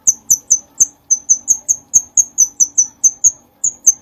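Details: Bulbul in gacor form, used to train other songbirds: a brisk series of sharp, very high chip notes, about four per second, with a short gap midway.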